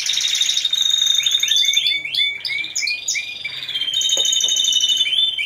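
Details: Timbrado Español canary team (four birds) singing at a November 2015 song contest: a sustained piercing note runs under choppy descending trills, followed by a looser series of rolled phrases with a brief low knock.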